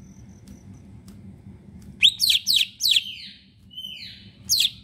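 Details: After a near-silent start, a caged leafbird bursts into loud sharp downward-swept notes, about four in quick succession, followed by drawn-out thin whistles and one last strident note, over a low hum; kept as a song lure for other leafbirds.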